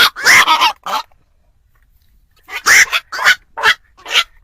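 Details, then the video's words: Black-crowned night heron calls for luring birds into traps at night before the Tết holiday: a burst of harsh, grating croaks, a short silent pause, then a further run of rough, closely spaced squawks. "tiếng chim vạc cho anh em đi bẫy chim đêm"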